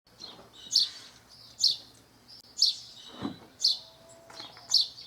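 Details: House sparrow in nature in Brazil, giving loud, bright chirps about once a second, each a short burst with a sharp peak, spaced unevenly over five seconds; one softer, lower chirp in between and faint background hum.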